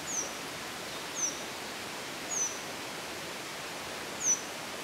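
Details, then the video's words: Male grey wagtail, told apart by its black throat, at Sugiyama: four short, thin, very high notes, each a quick downward slur, spaced unevenly about a second or more apart over steady soft background hiss. "Grey Wagatail, Sugiyama キセキレイ、杉山"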